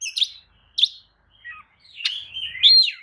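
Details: Provoking kacer song from an Oriental magpie-robin that opens its tail: spaced sharp chips and short whistles, building to a long rich warbled phrase with a ringing, falling whistle at the end.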